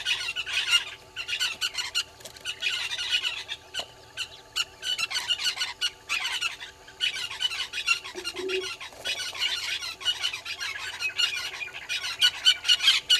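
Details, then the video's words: Morning calls of southern red-billed hornbills at a waterhole on Djuma Game Reserve in the Sabi Sand, South Africa: continuous dense clucking chatter, rough and rapid, swelling and fading in waves, a brief low tone midway, faint electrical hum throughout. "Red-billed Hornbills below the cam"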